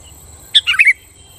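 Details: Single short phrase from a sooty-headed bulbul, meant to provoke other bulbuls into singing: three or four quick liquid, slurred whistled notes tumbling downward, over a faint constant high hiss.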